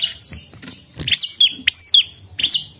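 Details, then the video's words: Prinia in lively song: a few quick, high, scratchy chirps, then a sharp ticking rattle and a bright descending whistle, packed into under three seconds over a faint low background rumble. "Prenjak Gacor Ngotot"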